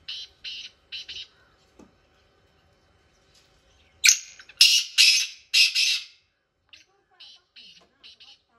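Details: Black francolin in village fields: harsh, rasping grating phrases, soft scratchy notes at first, then a loud burst of three or four buzzy, strident syllables, followed by quieter scraping notes.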